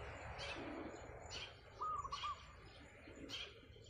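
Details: Wild zebra dove singing on roof tiles one morning, very vocal: one short phrase of rapid, soft, wavering coos near the middle, while other small birds give sharp high chirps at intervals throughout.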